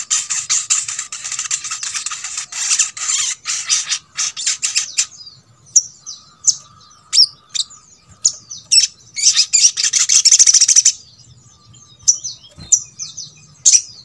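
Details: Little spiderhunter (sogok ontong) song played to encourage reluctant birds of its kind to sing: several seconds of dense, shrill chattering, then scattered high sharp notes and short bright trills with gaps between.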